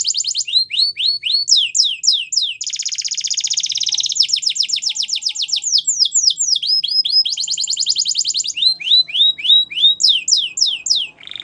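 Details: Belgian canary singing as a training example: continuous varied song of quick downward-sweeping whistled trills, a long buzzy rolling section, and rapid repeated notes, loud and clean throughout.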